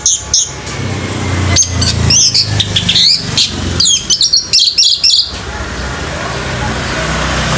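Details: Orange-headed thrush singing at a bird singing competition: quick bursts of high, sharp whistled and chattering notes in rapid runs, then a pause, over steady low rumbling background noise.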